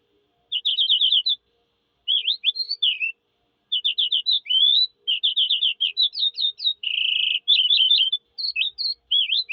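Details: Eurasian skylark singing a long, varied stream of trills, repeated chirps, slurred whistles and a buzzy rattle, with short pauses between phrases; no other sounds.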